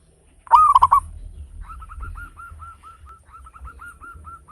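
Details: Local zebra dove, a frequent loud singer with beautiful beats, used to stimulate other birds: one loud rolling burst of hooked coos, followed by a long, softer, even series of small rising notes.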